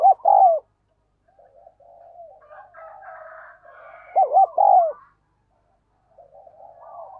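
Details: A decoy spotted dove uses its urging 'gáy thúc' call to pull wild doves in. A loud hollow coo opens, softer murmured cooing follows, then a loud three-note phrase whose final note is short.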